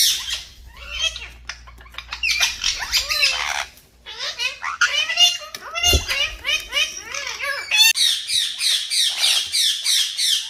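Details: Several green talking parrots chatter and squawk in quick, irregular bursts of looping harmonic calls, ending in dense, rapid screeching.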